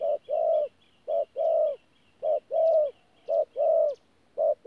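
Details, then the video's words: Local decoy spotted dove, 'pha gù' coo, Tu Mơ Rông, 14 January 2019: mellow low coos paired short-long, each long note slightly falling, over a steady series of thin high chirps from another bird. "BỔI THỔ PHA GÙ QUÁ TỐT"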